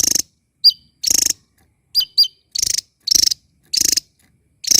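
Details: Small bird chattering loudly while dancing about: short buzzy, rattling bursts alternate with sharp, high downward-slurred chirps, roughly two bursts per second with brief silent gaps between them.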